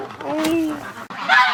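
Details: Wintering domestic ducks in a barn around noon on a sunny, windy February day at minus 18 give a nasal, honking quack with a clear tone, then a harsher burst of calling, seemingly wanting to be let out.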